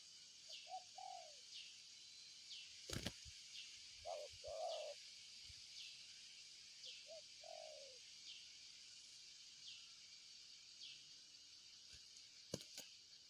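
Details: Spotted dove giving three separated cooing phrases, each a short note followed by a longer hollow, slightly falling coo. Thin, high chirps descend in pitch and repeat regularly behind it, and sharp clicks punctuate the quiet.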